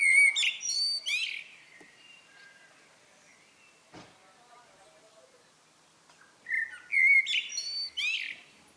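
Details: Common blackbird giving its evening song: a phrase of rich fluted whistles ending in a high twitter, a pause with a single click and soft distant calls, then a second similar phrase.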